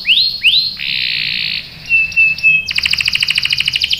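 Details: Vigorous canary lure song: two rising swoops, a sustained buzzy tone, a clear thin whistle, then a rapid pulsing high roll, sung to prompt other canaries to answer.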